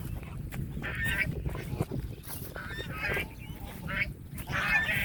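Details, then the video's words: Domestic geese on a char beside the Meghna River in Narsinghdi, Bangladesh, calling out as a person approaches; several harsh, nasal honks rise above steady low wind rumble, some overlapping, with short buzzy notes between. "দেখছেন রাজহাঁসের আওয়াজ, আর আমি কাছে আসছি, এজন্য তারা ডাকাডাকি করছে।"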